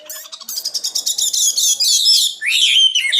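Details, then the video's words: Common nightingale song starting with a fast, even train of sharp repeated pulses, about sixteen in a row, flowing into a bright trill and a falling slurred phrase. "Best singing nightingale"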